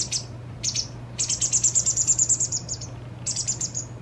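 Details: White wagtail youngster just out of the nest, begging as a parent feeds it: a few separate high chirps, then a rapid even trill of about fifteen shrill notes, then more chirps; faint low hum.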